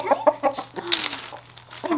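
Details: Happy rooster being offered treats indoors: quick run of short, low, throaty clucks at the start, then a brief higher squawk and a soft sliding note, with human laughter and talk nearby.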